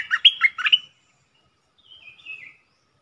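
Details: Decoy bulbul gives a brief burst of bubbling falling notes, then a quieter, drawn-out descending whistle after a short pause.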